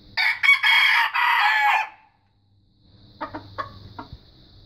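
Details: A young red junglefowl learning to crow gives a loud, broken crow of several hoarse bursts lasting under two seconds, followed by a quiet pause and softer clucking notes against a steady high insect hum.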